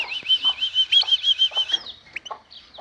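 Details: European goldfinch song in the vanlı melik style: a rapid, rolling, pulsing trill of about a dozen even beats, followed by a few short chirps. A low steady hum is present underneath.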